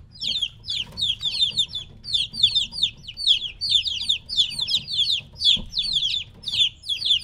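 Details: Separated from their mother, three-week-old chicks chirp in short clustered volleys of high, falling peeps, groups spaced roughly every half second, with a faint hum in the background.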